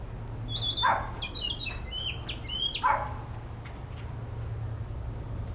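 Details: Narcissus flycatcher in an urban park, practising song: several short, high whistled phrases that step up and down, two bursts about two seconds apart, with harsher lower calls from another animal and a steady low hum.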